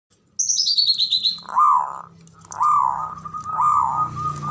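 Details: Male zebra dove giving its ngoar manggung call, used to stir mating arousal: a high, thin descending trill from another bird, then three deep, arched coos about one second apart.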